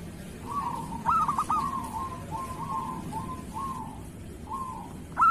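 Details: Local zebra dove song, kerot style, used to coax reluctant doves into singing. Soft, drawn-out cooing phrases repeat about every half second, with a brighter clipped note near the end.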